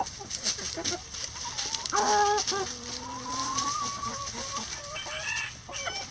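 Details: Rooster in a coop, among chickens scratching through a pile of leaves for enrichment; a drawn-out, level crowing note follows short harmonic clucks from the flock, with scratching and rustling throughout.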